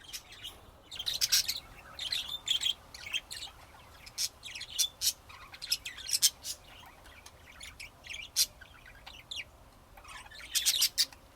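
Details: Budgerigar chattering in irregular bursts of sharp, high chirps and short squeaky warbled notes, some clustered, others spaced about a second apart, over a faint steady hiss.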